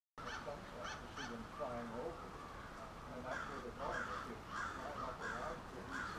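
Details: A large flock of crows gathers at a nightly roost in suburban Halifax, Nova Scotia, with overlapping harsh caws and rougher chattering calls layered throughout.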